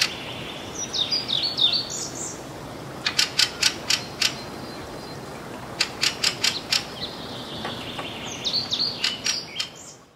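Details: Fieldfare in northern Sweden on June 6, 2022, giving its call, possibly mixed with alarm calls: harsh, dry chacking notes in quick runs of four to six, with thin squeaky warbled notes at the start and end over soft outdoor hiss.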